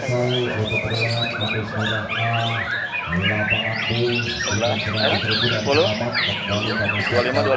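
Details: White-rumped shamas at a main-class songbird singing contest, including a bird from Pekalongan, pour out rich, fast, varied whistles and chattering phrases, several birds overlapping, over loudspeaker speech, music and clapping.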